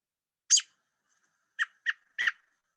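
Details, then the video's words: American robin singing four brief, bright, slurred phrases, each a split second long, with short pauses between them against a quiet background; the song is likened to "cheerio, cheerio". "Now I'm going to play for you a recording of what a robin sounds like when it's singing."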